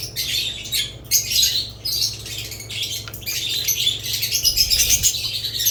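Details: Chirping budgerigars kept with lovebirds: choppy clusters of sharp, high squeaks and chatter, broken by short pauses, then a steadier twittering stretch toward the end.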